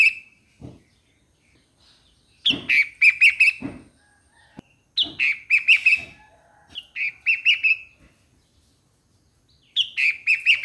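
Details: Four phrases of quick, bubbly chirping notes from a Streak-eared Bulbul, spaced by short gaps, with a few soft low thumps in the background.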